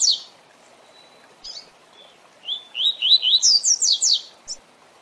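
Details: Double-collared seedeater in the Tui Tui Zel Zel song style, used in training captive birds: scattered introductory notes, then a series of rising slurred whistles that breaks into a rapid run of high, sharp notes.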